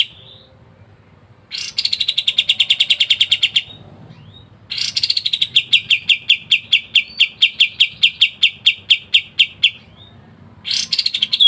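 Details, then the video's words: Cotton bird (kapas tembak) singing ngebren rapat for masteran: bursts of fast, sharp chattering trills separated by pauses, the second burst long and gradually slowing, a new burst starting at the end. "KAPAS TEMBAK GACOR NGEBREN RAPAT"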